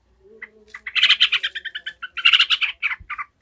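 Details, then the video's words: An agitated yellow-vented bulbul gives its furious 'ngekek' chatter: a dense, rapid run of harsh, buzzy notes swelling loud in two surges, then a few scattered notes, with a faint steady hum behind. "Trucukan gacor ngamuk ngekek emosi"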